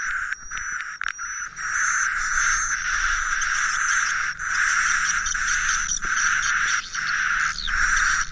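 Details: Swiftlet roost-call lure: an almost unbroken buzzy twittering chatter with a few brief pauses, and a thin high steady whistle running through most of the clip.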